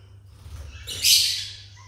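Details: A pineapple conure chick gives one loud, hoarse rasping call of about half a second. It swells quickly and then fades, with a faint low hum underneath.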